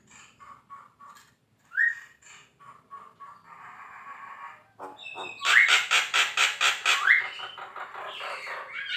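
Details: Javan myna in full song for competition training, starting with quiet, clipped chucks and one rising whistle, then a fast run of loud, harsh, evenly spaced rasping notes.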